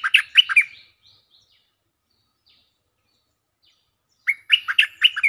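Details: Stripe-throated bulbul singing briskly as a lure: a rapid bubbly phrase of slurred, chortling notes, followed by a long silence and another similar burst of six notes.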